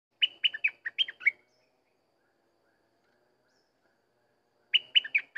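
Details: Sooty-headed bulbul singing: a quick phrase of about seven bright, fluty notes that rise and fall, then silence, then the same phrase starting again near the end. No other sounds.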